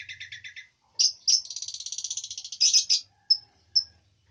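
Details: Long-tailed shrike in lively song: a short stuttering run of buzzy notes, then a dense scratchy rattling trill broken by louder squeaky accents, ending with two thin clear whistled pips.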